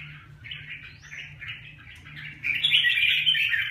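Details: Red-whiskered bulbul giving short chirped notes at first, then a louder, sustained run of bright, tumbling warbles in the second half; a low constant hum sits beneath.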